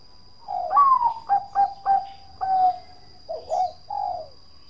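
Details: Zebra dove of the Bangkok type delivers its 'kong' style song: an opening coo, a quick series of staccato notes, one drawn-out note, then a few bubbling coos to close.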